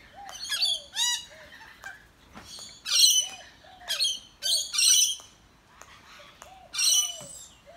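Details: Several wild Australian rainbow lorikeets feeding in a backyard give loud grating screeches in bursts about every second or two, mixed with short squeaks and low curving whistles.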